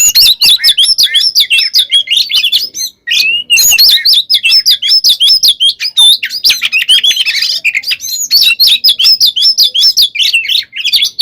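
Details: Kacer, the oriental magpie-robin, singing a fast fighting song meant to provoke other birds into replying: a dense, unbroken stream of sharp chirps, trills and whistled slides, roughly two to three notes per second.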